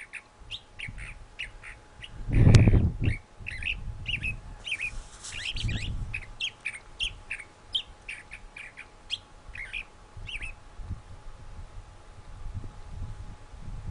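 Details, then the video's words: A singing thrasher delivers a rapid run of short chirped and slurred notes, about four per second, with a loud low thud and some rustling noise early on, then the song stops and only faint background remains. "Thrasher Singing"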